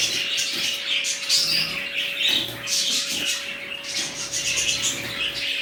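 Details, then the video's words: Budgerigars of a new colony fill the air with bursts of raspy, high chirping and warbling that swell and ease in waves, over a low steady hum. "Budgies Parrots New colony"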